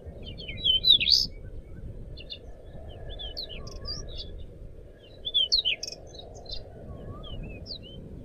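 Crescent-chested babbler song: lively high, twisting whistled phrases in two bursts about four seconds apart, with softer lower whistles from other birds and steady low background noise.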